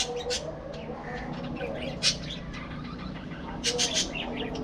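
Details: Flock of budgerigars in a breeding colony giving scratchy warbles and quick chirps, with a louder squawky burst near the middle and another near the end over constant background chatter.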